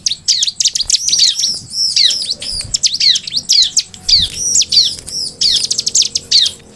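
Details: Long, busy song of a bar-winged prinia (ciblek) in vigorous voice: dense high twittering with quick downward-sweeping chirps, clustered into bursts that follow one another without break.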